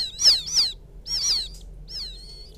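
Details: A field quail chick calling its mother gives an irregular burst: two quick, high, falling peeps, a pause, then a third. A softer, drawn-out thin whistle follows.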